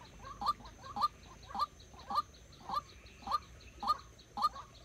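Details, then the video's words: A decoy White-breasted waterhen, used to lure wild waterhens into a trap, gives a monotonous series of nasal, upslurred notes, about two each second, over a faint background hiss. "Dợt chim cuốc mồi"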